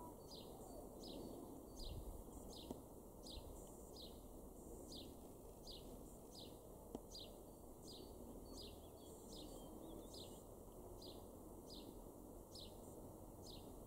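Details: Male house sparrow in a garden in Weener, East Frisia, Germany, in April 2021 gives a steady series of short, bright chirps, about one per second, over a constant low rumble of distant noise.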